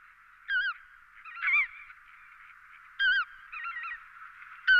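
Lesser white-fronted goose giving high, squeaky yelping calls, single and double notes, every second or so over a steady background hiss.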